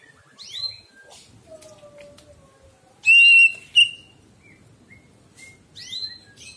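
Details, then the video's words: Greater green leafbird recorded for training pet birds, giving sparse whistled slurs, one long low falling whistle, then a very loud ringing whistle with a second sharp note. "masteran C, ijo bahan masteran"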